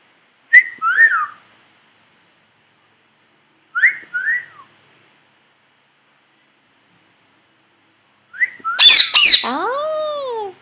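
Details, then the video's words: Pet male Indian ringneck parakeet, three years old, indoors, talking constantly while unaware of being filmed by a computer; three bursts of squeaky, speech-like chatter, the last harsher and ending in a drawn-out whistle that falls then rises. "parrot talking to me"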